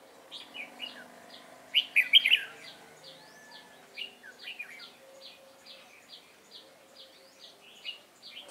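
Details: Caged red-whiskered bulbul singing a competition song, one loud warbled burst followed by steady rhythmic short chirps from several birds, faint hum behind.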